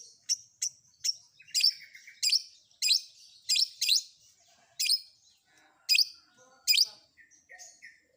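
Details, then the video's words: Long-tailed shrike fill-in (isian) combination song, spaced harsh, buzzy high bursts with a short rattling trill near the start and softer scattered chirps toward the end. "Suara Isian Kombinasi Cendet"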